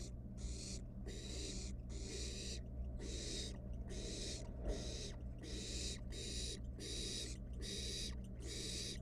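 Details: Barn owl nestling, wild, playing with food inside a monitored nest box; rapid run of rasping hisses with short breaks, nearly continuous over nine seconds, plus a faint knock and steady background hum.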